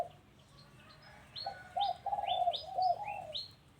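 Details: Low, bubbling dove coos at a house, several notes strung together, overlapped by bright, rising high chirps from another small bird.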